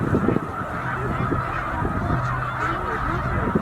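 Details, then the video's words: Huge flock of snow geese, about 100,000, stopping at Middle Creek wildlife refuge on the northward migration: a steady distant roar of honking, with a low, even hum running underneath. "100,000 Birds in One Place - Snow Geese Migration Moment"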